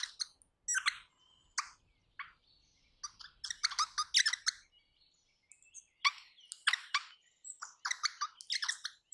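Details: Crimson rosella in Australia, 21 May 2015 at 7:45, giving harsh, chattering screeches in quick bursts with a few thin whistled notes between them, repeated over about nine seconds.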